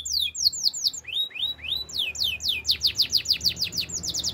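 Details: Song of a caged canary, played for training other canaries: rapid downslurred whistles, a few rising sweeps, then an accelerating run of sharp falling notes.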